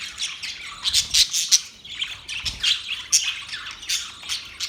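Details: Budgerigars described as happy chirp in quick high bursts of scratchy warbling and sharp tweets, with a short lull midway before the chatter resumes.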